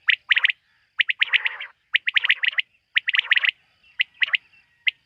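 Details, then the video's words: Quail at night repeating dense groups of crisp chirping notes, some run into short buzzy rasps, nearly continuous over five seconds in a quiet setting. "Bater ki rat wali awaz ۔۔quail sound of night"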